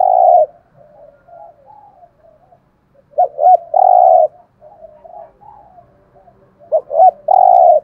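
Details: Spotted dove decoy bird cooing in the prized 'giọng thổ' voice style to stimulate wild doves to call: low hoarse coo phrases repeated twice, each a short note, a longer note and a long descending coo, with softer murmurs between.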